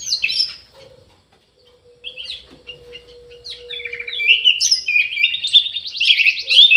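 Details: Orange-headed thrush in an aviary in full song: a loud opening phrase, a quiet pause with a steady low hum, then a long, rising stream of rapid, chattering and whistled notes building in loudness.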